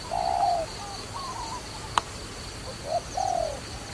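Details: Low, mellow dove cooing recorded at a trapping site. A long falling coo opens, then a short note and another long sliding coo follow after a pause. A single sharp click sounds midway.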